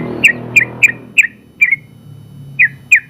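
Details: Yellow-vented bulbul (trucukan), a champion bird in an open contest class, singing a long rapid 'ropel' style: short bright slurred whistled notes, some doubled, repeated roughly every third of a second, with a low hum beneath.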